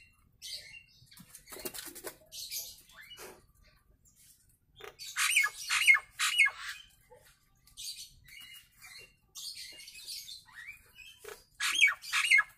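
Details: Nias hill myna in a recording meant to teach other mynas. It gives scattered harsh, broadband squawks, then a burst of three loud rasping notes carrying short whistles. A final pair of strong squawks follows after quiet gaps.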